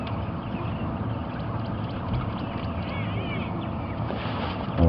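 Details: A steady low rumble of engine or vehicle noise with wind, and faint murmuring voices; no clear animal calls stand out.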